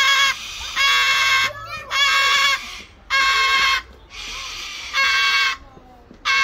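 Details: A captive male cockatoo at Birdland, Bourton-on-the-Water, answering greetings very loudly, perhaps lonely: long, harsh, ear-splitting screeches about one every second and a half, with short quiet gaps.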